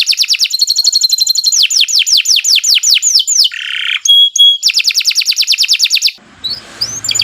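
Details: Canary singing as a training lure: rapid trills and falling whistled notes, a short harsh rattle, pure tones, another fast trill, then a few softer notes at the end.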